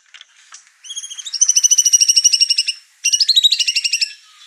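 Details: Over-excited white-rumped shama unloading its song repertoire and agitating the other birds in the house: a few scattered high chips, then a fast, even trill of bright repeated notes, a short pause, and a second rapid trill.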